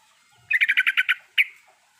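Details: Yellow-vented bulbul riwikan song played as a lure to get a silent bird singing: one quick burst of about eight bright, chattering notes, then a single slurred note after a short pause.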